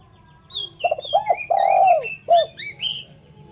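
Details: Single phrase of a spotted dove for luring birds: clipped opening notes, a long downward coo and a short final note, overlaid by a smaller bird's high sweeping whistled chirps.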